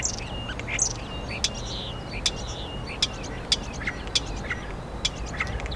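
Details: A common starling in Hyde Park, London, in April 2016, sings a rambling medley of sharp clicks, thin whistles and slurred squeaks, with clicks roughly every half-second over a steady low rumble of city noise.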